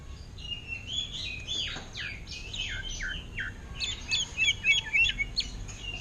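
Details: A caged greater green leafbird sings ngentrok fashion, copying an orange-headed thrush, with strong descending slurred whistles followed by a quick burst of high, twittering notes, over a faint low background hum.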